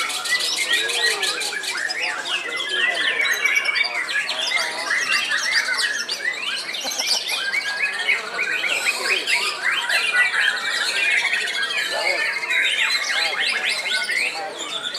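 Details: Caged white-rumped shama, described as the oldest still actively singing, about 15 years old: a dense, sustained run of high, rapid whistles, chips and slurred notes, with fast varied phrases throughout and faint voices underneath.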